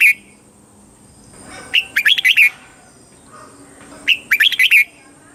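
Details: Caged-bird training song of a Red-whiskered bulbul in Thailand, southern master style, to make birds excited and teach young: a brief note, then two full phrases of clear, bouncing whistles spaced about two and a half seconds apart.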